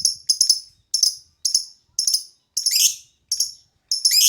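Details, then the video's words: Piercing, high lovebird chirps in short bursts, some doubled, roughly every half second, with two harsher rising chatters among them, from a lure recording. "LOVEBIRD TARIAN DAN SUARA MASTER PANCINGAN"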